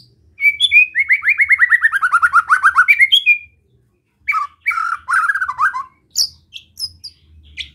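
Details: White-rumped shama delivering a calm besetan song to provoke rival shamas: a rapid, evenly pulsed trill that descends gradually over about three seconds, then separate warbled phrases and scattered high notes.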